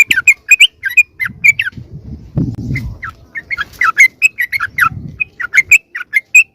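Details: Sooty-headed bulbul lure call, used to draw wild birds close: a rapid run of short chirpy notes with bright overtones, loosely spaced and chattering, with soft low rumbling handling noise in the middle.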